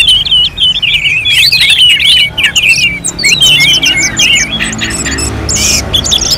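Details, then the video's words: {'caption': 'Orange-headed thrush song recorded in North Bali as a contest simulation: jerky, zigzagging whistled phrases in quick bursts separated by brief gaps, with some scratchy chip notes mixed in.'} "KICAUAN ANIS MERAH SEPERTI SIMULASI LOMBA"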